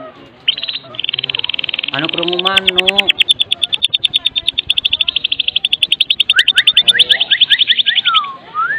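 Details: Medan-type white-rumped shama delivering kretekan song full of varied fills, meant to prompt other shamas to sing: a brief rising sweep and a stacked harmonic phrase lead into a sustained rapid rattle, with quick whistled notes near the end.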